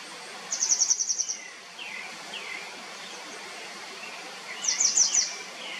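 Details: Grey wagtail giving a fast run of about eight sharp, high, clipped notes, a pause with faint lower chirps from another bird over steady rushing noise, then a shorter, louder burst of four notes.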